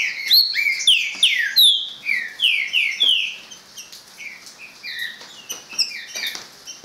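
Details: Green-winged saltator singing a fast run of loud, clear whistled notes, many sliding downward, slowing and softening into scattered shorter whistles and chips toward the end.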